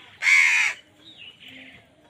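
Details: Single harsh, hoarse caw from a crow fighting wild birds for food, loud and short, followed by faint thin chirping from other birds.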